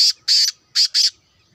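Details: Black francolin, a two-year-old kept bird said to be of Sindhi stock, giving four loud, harsh, rasping notes in quick succession: a short burst, a longer one, then another short and longer pair, with near-silent surroundings.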